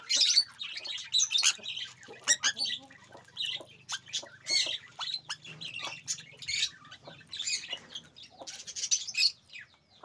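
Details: A breeder pair of pet Sun conures (Aratinga solstitialis), ready for the 2024/2025 breeding season, give harsh, high screeching squawks in quick, irregular bursts.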